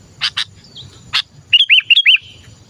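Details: Sooty-headed bulbul call used to lure other bulbuls: a few sharp clicking notes, then a fast run of curling, looping chirps near the end, with a low rumbling background.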